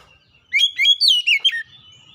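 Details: Oriental magpie-robin song used as a lure to prompt a quiet bird to sing; one brief phrase of clear, swooping whistles and quick rising and falling notes, loud against a silent background.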